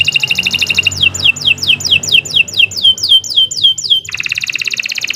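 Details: Canary song used as a master recording for training birds: a high rapid trill, then a run of about a dozen repeated downward-sweeping whistled notes, ending in another fast trill.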